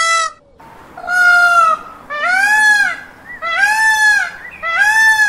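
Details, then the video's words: An Indian peacock, filmed dancing, gives loud, nasal, wailing calls, each arched and drawn out, repeated about once a second in a series of four after a clipped start. "peacock sound dance and call"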